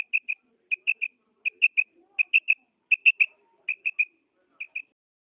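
A female common quail gives short, high, clipped notes in quick pairs and triplets, each group following the last under a second later, against a quiet background.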